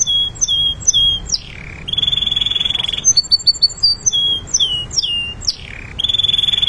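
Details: Canary singing a training song of crisp repeated whistled notes, a sliding downward slur, a long rapid steady trill, then quick clipped chips and more slurred whistles ending in another trill.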